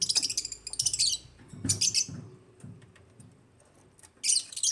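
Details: African lovebirds chirping: bursts of shrill, high, buzzy chirps in quick clusters at the start, around the middle and at the end, with quieter low knocks and rustles between.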